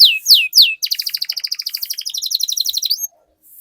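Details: Canary singing as a lure to get other canaries singing: two loud down-slurred whistles followed by a fast, even, bubbling trill of short notes lasting about two seconds, then silence.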